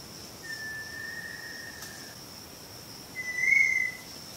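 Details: Little tinamou in quiet forest in late afternoon, near a feeding station, giving two long, pure, steady whistles, the second slightly higher, louder and rising; a thin, high insect-like tone hums throughout.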